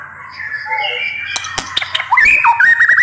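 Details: Murai batu, the white-rumped shama, in sharp 'nembak' song: soft whistled notes build up, broken by sharp clicks and snaps, then a louder run of bright rising and falling whistles near the end.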